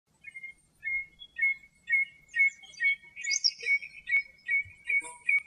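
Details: A common redshank sings in its natural habitat in Greece: ringing, piping notes repeated about twice a second in a steady series, with a few higher chirps from other birds midway.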